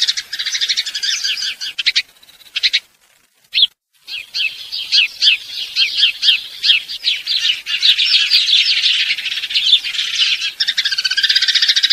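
A house sparrow chirps steadily in a dense run of bright, repeated cheeps, with a brief gap after a few seconds before the chatter resumes.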